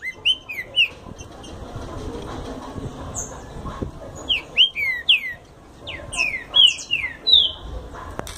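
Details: Green-winged saltator singing a fast song: scattered clear whistled notes at first, then a rapid run of slurred, downward-sweeping whistles in the second half, with a faint background hiss.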